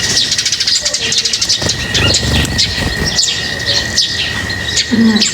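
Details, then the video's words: Birds chirping while being fed: dense, rapid high twittering chirps overlapping throughout, with a steady whining tone in the background and a brief lower call near the end. "Feeding birds, their chirping is very relaxing"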